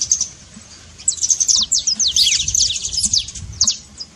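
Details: Trincado song of a saffron finch, meant to fire up a silent bird: after a quiet start, a dense run of sharp high descending chirps, then a brief pause and a final few notes.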